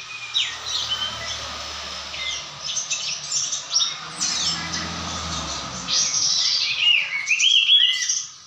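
Sooty-headed bulbul giving a steady stream of bubbly, chattering whistled notes, mid-to-high pitched and jumbled, with a faint low hum underneath.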